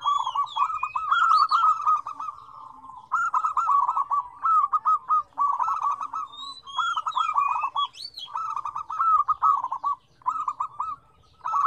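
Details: Several zebra doves coo together in five combined phrases of differing tones: soft, rolling, bubbling coos around a low pitch, overlapping almost continuously, with fainter higher chirps above.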